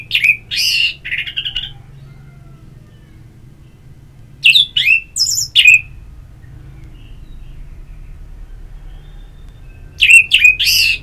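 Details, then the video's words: Orange-headed thrush (Geokichla citrina) singing three bursts of rich, fluty and scratchy phrases, each about two seconds long, separated by quiet pauses of two to four seconds; a low hum underneath. "Terapi Ngeplong Untuk ANIS MERAH"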